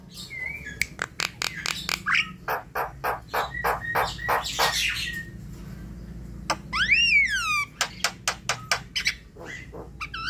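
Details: Javan myna song for prompting night-time calling: a fast series of dry, clicking rasps and harsh notes, with a sweeping, descending whistled rattle in the middle.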